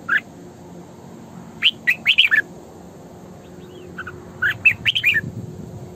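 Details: Red-whiskered bulbul female, a lure bird for training morning song, delivers two groups of lively chirped notes separated by a quiet gap with faint thin calls, against steady low background noise.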